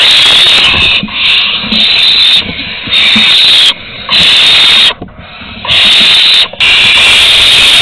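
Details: Barn owls at their nest in Théding, France, on 22 August 2020 during an agitated food delivery: a steady, harsh hiss runs almost unbroken, cut by several short silent gaps.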